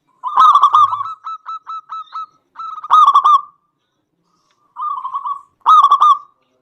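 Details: Vigorous local zebra dove whose song is used to goad other doves into singing: a loud rapid burst followed by five spaced coos, a second burst, a short rolling phrase and a final loud burst.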